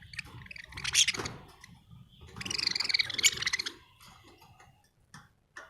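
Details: Budgerigar chirping in two bursts of dense, scratchy, high-pitched chatter, a short one near the first second and a longer warbling run from about 2.4 to 3.7 seconds, with faint scattered chirps and a low hum between.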